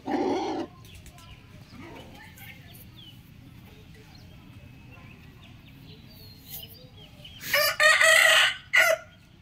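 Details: Rooster crowing: a brief loud burst at the start, then a quiet stretch with faint low background noise and scattered small sounds, then a loud, harsh, strained crow of about one and a half seconds near the end.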